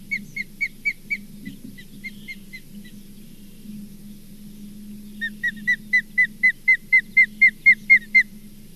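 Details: An osprey at the Charlo osprey nest, 4 June 2023, gives a fast series of short, clear whistled notes, about four per second.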